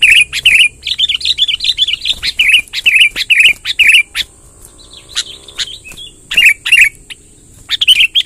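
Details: Sooty-headed bulbul, wild, in long rolling song: loud looping whistled phrases repeated rapidly for four seconds, a quiet stretch, then more loud looping notes near the close; sharp clicks and a steady high hiss throughout.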